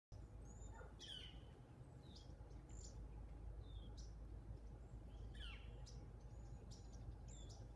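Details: Cedar Waxwings eating persimmons in a persimmon tree give very high, thin, lisping notes, scattered and brief, several birds calling at once over a steady low rumble of background noise.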